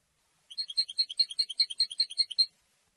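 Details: Quieter European goldfinch song of territory and courtship: a two-second string of regular, high, tinkling notes, about two or three a second, which stops abruptly and leaves silence.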